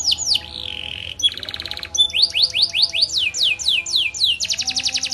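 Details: Singing canary with a varied, energetic song used to prompt other canaries to join in: swooping high notes, a sustained buzzy rattle, a short rapid trill, then downward-slurred phrases and a final dense buzzing roll.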